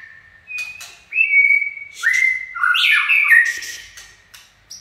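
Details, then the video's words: 'Chạy cầu' song of a white-rumped shama: a long level whistle stepping higher, then a dense warbled flourish and a fading whistle, with soft clicks after. "Chích chòe lửa chạy cầu shama run"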